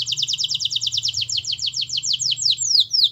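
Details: Singing canary, used as a prompting track for a canary that is slow to sing, delivering a quick string of about nine repeated high notes per second that slow into broader downward-swept whistles.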